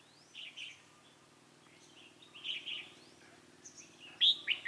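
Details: Red-whiskered bulbul singing as a trap decoy to draw in a wild bird, 28 October 2018: scattered short chirpy warbles, with a sudden loud sharp phrase near the end over a low steady hum.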